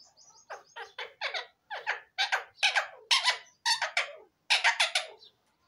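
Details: Parrots talking indoors, a steady series of harsh, speech-like syllables in paired and triple bursts, about a dozen over five seconds, followed by a person saying hello.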